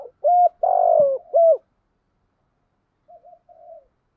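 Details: Decoy spotted dove cooing to lure wild doves: a loud, mellow three-part coo phrase with a long drawn middle note, followed after a pause by a faint, softer short coo.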